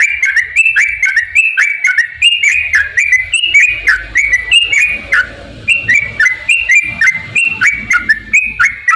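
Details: Lure song of a yellow-vented bulbul, long ropel style meant to provoke caged birds to sing: rapid chains of bright whistled notes that dip and flick, with a brief pause midway and faint low rumble beneath.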